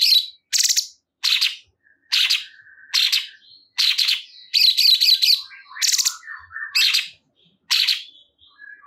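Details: A sooty-headed bulbul, the cungkok, gives short buzzy bursts about every half second to second, with a lower steady whistled tone and soft chattering notes between them.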